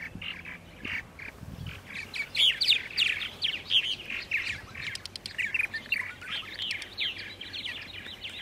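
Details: Several purple martins heard at 8:30 AM on April 14, 2012, in Center Moriches, Long Island, New York: overlapping gurgling chirps and croaks in a busy, irregular chatter, building after the first two seconds.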